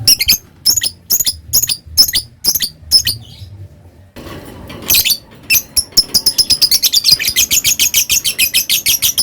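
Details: Lovebird starting with spaced, high ticking squeaks, the 'ngetik' style, then after a short break moving into long, rapid ngekek chatter, a fast, steady rattle of high notes.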